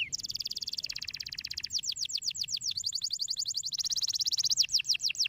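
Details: Canary singing with fast rhythmic trills of high repeated notes, shifting between rapid buzzy rolls and slower descending whistled syllables, steady and loud throughout.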